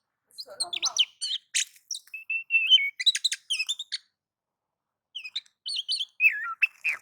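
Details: White-rumped shama (kacer) singing in nagan and ngobra style, meant to provoke other shamas to sing: a rapid, varied stream of whistled, chattering and slurred notes, pausing briefly before another burst of rising and falling whistles.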